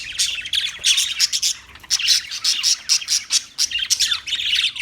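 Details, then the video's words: Lively parakeet chirping: rapid high, thin chirps and buzzy squawks in close clusters, with a few short gaps between bursts. "Birds Parakeet Sounds Parrot Chirping Sounds"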